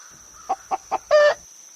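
A hen gives three quick, clipped clucks about a quarter-second apart, then one longer, louder, nasal squawk; a faint steady high whine runs underneath.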